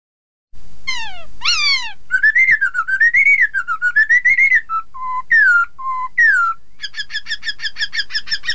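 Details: Chinese hwamei song used as a therapy recording to make rival birds sing along: loud clear whistles, first two steep descending slurs, then a wavering warbled phrase, short repeated notes, and a fast rapid trill at the end.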